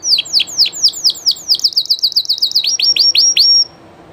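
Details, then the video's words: Live Spanish llarguet canary singing a rapid run of high, downward-sweeping whistled notes, about four to five per second, then a brief sustained high whistle and a final series of falling notes before stopping. "CANTO DE CANARIO DE UNA RAZA MUY CONOCIDA Y DE LEYENDA llarguet español"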